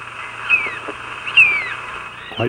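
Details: An Ivory Gull, likely the one feeding on Arctic pack ice at Pond Inlet, Baffin Island, gives harsh, tern-like calls: two grating downslurred notes about a second apart over a steady background hiss.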